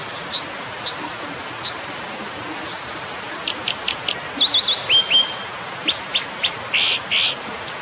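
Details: Brown dipper song made of spaced sharp high notes building into rapid wavering trills, thin level whistles and a few fuller notes, heard against continuous steady background hiss.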